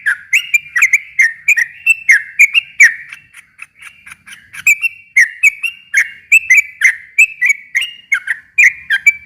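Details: Sooty-headed bulbul song meant to provoke a quiet bird into answering: a long chattering stream of quick whistled notes that dip and rise, with a brief pause midway before the rapid phrasing resumes.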